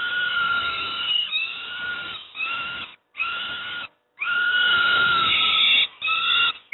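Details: Hoarse screaming bursts from young peregrine falcons at Moszna, Pruszków, Poland, as they receive breakfast, the cries broken by two short silences and then resuming in a long wail.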